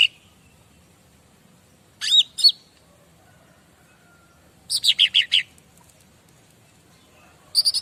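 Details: Master song of a bar-winged prinia, played to provoke responses from other birds: two sharp swooping notes, a soft low whistle, then a rapid series of five high chips, with one more phrase starting at the close.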